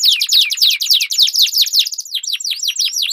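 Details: Dueling canaries with a long rolling song as a training lure: rapid high downslurred whistles in steady succession, shifting into rising-and-falling V-shaped notes.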